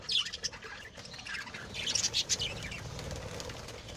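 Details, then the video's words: Pet lovebirds bred at home give clusters of shrill, high chirps and twitters, a burst at the start and a denser chattering run near two seconds, with soft fluttering sounds and a low background hum. "Lovebirds' Sounds Relaxation"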